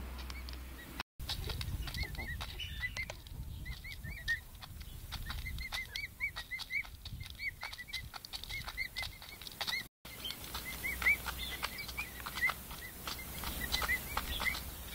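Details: Chirping of five-week-old pet emu chicks: bursts of brief arched whistles, some doubled, with dense tapping clicks and two short dropouts.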